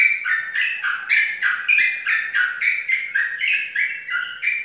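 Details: Lively chattering song from a caged Sooty-headed bulbul with a winning record in Indonesian bird competitions. Rapid paired notes tumble up and down, roughly three or four each second.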